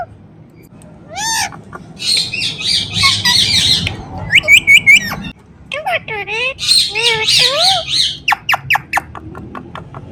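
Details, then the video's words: Indian ringneck parrot talking "Mithu Mithu": mimicked speech phrases mixed with harsh raspy squawks, V-shaped chattering notes and a closing series of sharp, rapid clicks. "Ringneck Parrot Talking Mithu Mithu"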